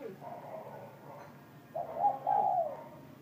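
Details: Spotted dove cooing at noon in a warm voice, described as already giving the soft 'gù trộm' coo; a faint low coo first, then a louder two-part throaty phrase of mellow, slightly falling notes near the end.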